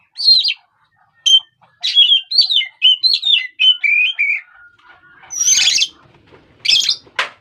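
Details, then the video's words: Oriental magpie-robin used to provoke other birds: rapid chain of loud, varied whistles dropping in pitch, a long thin steady note, then harsh rasping bursts. "pancingan emosi burung kacer"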